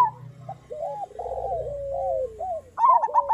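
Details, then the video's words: Local zebra doves sing a master song for training other doves. A run of drawn-out, gently falling coo notes ends in a loud burst of fast, stuttering trilled coos. "Perkutut lokal gacor Suara Masteran Burung Perkutut Paling Ampuh"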